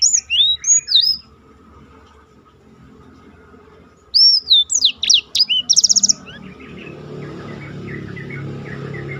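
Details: Black-throated canary tutor song for contest birds, with a short phrase of twisting whistles, silence, then a burst of swooping notes and a quick trill, followed by several seconds of background noise.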